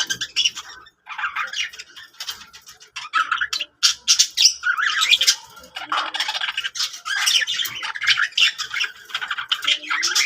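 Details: Budgerigars described as happy keep up a continuous, rasping warble broken by clicks and harsh squeaks over ten seconds, with the calls overlapping one another.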